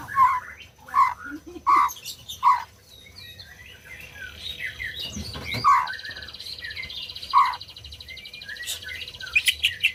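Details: White-rumped shama singing, used to prompt non-singing birds: four loud clipped notes spaced under a second apart, then a long buzzy high trill mixed with rapid twittering and more clipped notes.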